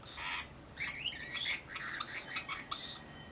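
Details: Rainbow lorikeets of a roughly 40-strong mixed flock caring for a baby give five rapid, scratchy screeches with warbling chirps slipped between them.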